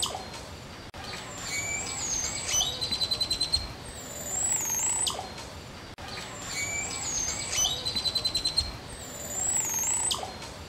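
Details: Green oropendola (Psarocolius viridis), call.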